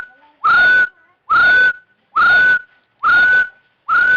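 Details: Partridge call: a loud, clear whistle that starts low and rises before holding steady. It repeats about every 0.85 seconds in an even, regular series. The background is otherwise quiet.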